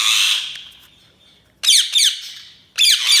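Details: Budgie squawking, a loud fading screech followed by two short harsh double chirps and a final harsh burst after a silent pause.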